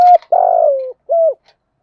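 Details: Spotted dove cooing in the 'thúc gù' style with a 'giọng thổ' voice: a short mellow note, a long buzzy throbbing coo falling at the end, then a clipped closing note.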